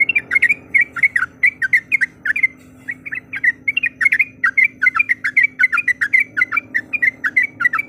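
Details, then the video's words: Yellow-vented bulbul calling, described as a female calling a male and used to provoke a rival: a continuous run of short bubbly warbled notes, briefly pausing near the middle, over a faint steady hum. "Suara Panggilan Trucuk Gacor Mencari Lawan Auto Emosi"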